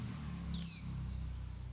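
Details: One loud, high, descending chirp from a female Javan white-eye used to excite males into song, fading into a long thin whistle, over a low steady hum.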